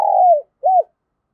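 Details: Part of a decoy spotted dove's luring song in the 'thổ thúc gù' voice: a long, steady coo sliding downward, a short gap, then one brief arched coo.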